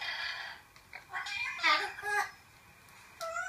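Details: Ten-year-old male pet yellow-shouldered amazon chatters in short, speech-like bursts with rising and falling tones and brief pauses, excited while watching a favourite video, indoors in a small room.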